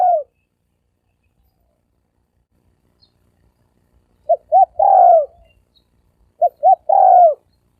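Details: Spotted dove lure coo in the thổ sấm đồng style, used to attract males and females. After a long silence come two phrases, each two short notes and then a drawn-out falling coo.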